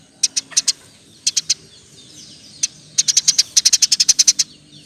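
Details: Energetic Eurasian tree sparrow giving 'roll tembak' song meant for training songbirds: short bursts of three high chirps, a lone chirp, then a dense rattling string of rapid sharp chirps.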